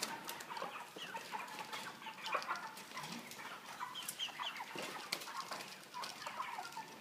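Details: A caged flock of 3 kg broiler chickens with a pan feeder and plastic floor. A continuous murmur of clucks and chirps is mixed with rustling, wing movement and clattering cage sounds.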